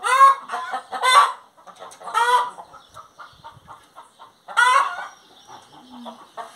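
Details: Hen singing, heard as loud, harsh, rising squawks near one second and again near 4.5 seconds, separated by softer rapid clucks and chatter.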